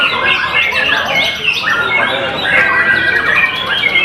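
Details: Sangkakala white-rumped shama pouring out rapid, rich whistles and slurred notes, some sharp and rising, in a continuous stream, with harsher squawking notes mixed in.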